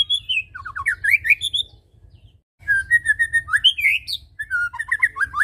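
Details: White-rumped shama song, used to coax birds to sing: varied slurred whistles and quick warbled notes, a brief silent gap near the middle, then another run of melodic phrases.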